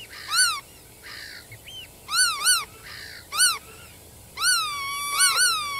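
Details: Black-tailed godwit giving loud, nasal, arched calls, single and doubled, with quieter buzzy notes between and a longer drawn-out rising-then-level call near the end.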